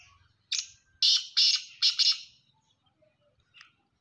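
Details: Black francolin calling: one short harsh note, then a rapid run of four loud, grating, buzzy bursts within about two seconds, followed by a faint later note; otherwise quiet background.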